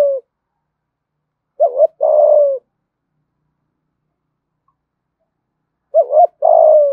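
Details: Spotted dove calling in the 'thúc gù' decoy style. There are two clear phrases, each a short stuttered double note followed by a long, level-then-falling coo. The phrases come about four and a half seconds apart, with silence between.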